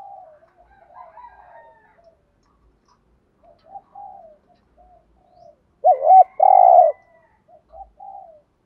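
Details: Spotted dove in 'thúc gù' style, used to excite and lure wild doves: faint low murmurs, then one loud mellow coo phrase with a burry note, followed by quieter soft coos.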